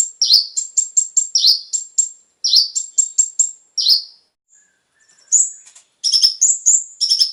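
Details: Konin song played to stimulate captive birds: clusters of very high sharp chirps mixing level and dropping notes, a short pause with faint thin notes, then renewed rapid chirping of the brown-throated sunbird.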